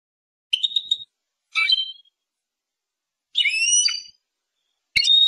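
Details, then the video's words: Persian goldfinch giving short, separate twittering phrases: four bright bursts of whistled, tinkling notes, each under a second long, with quiet gaps between them and no other sounds. "Persian goldfinch songs اواز سهرهاي اروپاي"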